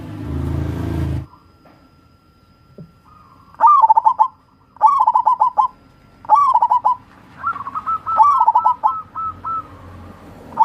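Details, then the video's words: After a brief burst of noise, a local wild zebra dove, recorded as a lure to stir lazy doves, delivers four rolling phrases of quick beaded notes, the last a longer drawn-out trill. "SUARA BURUNG PERKUTUT"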